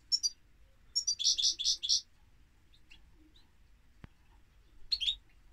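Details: Singing European goldfinch gives a quick string of four or five tinkling twittered notes, then a pause broken by a single click, and a final short twitter near the end.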